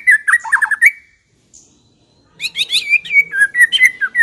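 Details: White-rumped shama song used as a lure for shamas that have not yet sung, with a quick tumbling whistled phrase, a brief pause, then a longer run of clear, varied whistles.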